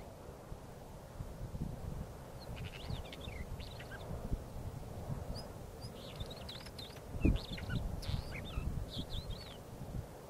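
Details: Northern wheatear defending its territory gives three short bursts of scratchy, chattering high notes mixed with brief whistles, half-buried under steady wind rumble and a single thump.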